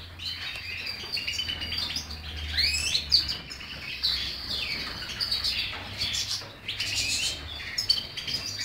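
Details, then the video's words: European goldfinch singing: a busy run of twittering, buzzy notes and quick upward and downward slurs, mostly high-pitched, continuing without pause over a low background hum. "cardellini chardonnert jilguero stiglic"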